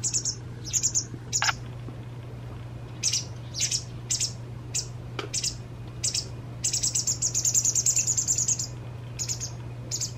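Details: A white wagtail fledgling, two days before becoming independent, is fed by its parent until full, giving high, thin, sibilant begging calls in repeated bursts that at times become a continuous shrill trill, over a steady low hum.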